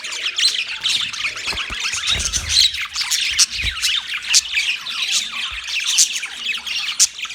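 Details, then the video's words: Group of budgerigars chirps nonstop, a rough warbling chatter of short squawks and twittering notes, with sharp high squeaks every second or so and faint low knocks. "Budgies chirping sound"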